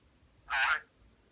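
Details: A parrot playing peek-a-boo makes a fart noise: a single short, raspy, spluttering burst like a blown raspberry, about a third of a second, in a quiet room.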